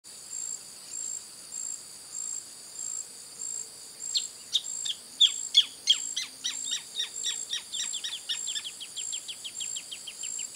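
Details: Greater thornbird (Phacellodomus ruber) gives a loud series of sharp, downslurred notes that speed up and shorten into a rapid chatter, over a steady high insect drone.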